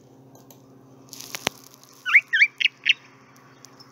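A Chalk-browed Mockingbird gives four quick, scratchy chirped notes in under a second, after a single sharp click, over a low background hum.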